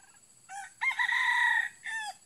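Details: Red junglefowl crowing during trapping with a female decoy: a short opening note, then a long, loud, sustained middle syllable, and a brief falling final note, all clear over a quiet background.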